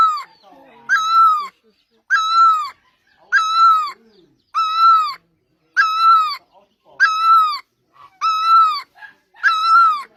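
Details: Great barbet singing: eight strong nasal notes, each beginning with a short rising lift then a steady, slightly sagging tone, repeated in a regular rhythm about every 1.2 seconds.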